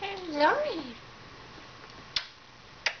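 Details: Pet female African grey parrot, about 14 years old, indoors and camera shy, talking: a speech-like phrase of sweeping, wavering harmonic tones in the first second, then quiet, then two sharp clicks.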